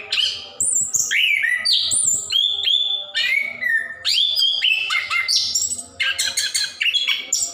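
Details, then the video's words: Long unbroken ngerol song of a plontang orange-headed thrush, used to prompt birds that rarely sing; clear upslurred whistles, repeated high notes and chattering runs, with a soft low hum underneath. "Anis Kembang / Plontang Gacor Ngerol"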